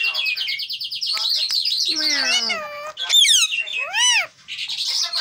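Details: Tame green pet parrot talking nonstop, a stream of harmonic, speech-like syllables mixed with shrill whistles and arching slurred notes, loud and close.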